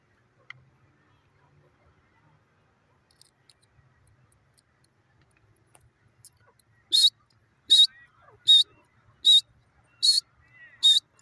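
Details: Grey francolin: seven seconds of near silence with faint clicks, then a run of six loud, shrill, harsh bursts spaced evenly about every 0.8 seconds until the end.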